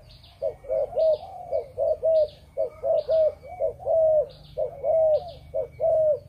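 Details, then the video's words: Spotted dove of Malaysian stock, bred in captivity, cooing in the 'chụp chụp ô' style: quick paired hoots followed by longer rounded notes, repeated about once a second in steady phrases. "Chim Cu Gáy | Chụp Chụp Ô | Cu Malaysia Sinh Sản"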